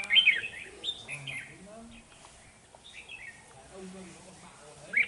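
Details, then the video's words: Red-whiskered bulbul used as a decoy in trapping, singing to fight rivals, recorded 13 November 2018 in Vietnam: short bright warbled phrases near the start and around one and three seconds, with a low murmur underneath. "Bẫy chào mào Lì lợm"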